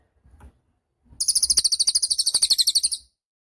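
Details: Cililin songbird, a recording meant as a master track for training cage songbirds: one fast, high, buzzy trill of about twenty even pulses over nearly two seconds, with faint clicks and thumps underneath.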